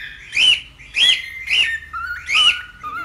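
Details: Cockatiel calling with four arched, harmonic-rich chirps about half a second apart, joined by thin steady whistled tones between them.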